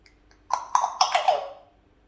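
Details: A pet African grey parrot (Psittacus erithacus) talking in Malayalam indoors says a short phrase of four quick, clipped syllables in a mid-pitched, slightly raspy human-like tone.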